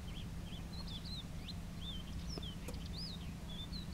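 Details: Common sandpiper calling: thin, high whistled notes, some rising and falling, scattered at irregular intervals over a steady low rumble.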